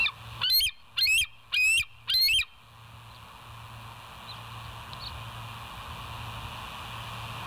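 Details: Bald eagle on the West End nest cam, 17 September 2023, night; four loud, harsh, high chattering bursts about half a second apart, then only a low steady hum with faint distant notes.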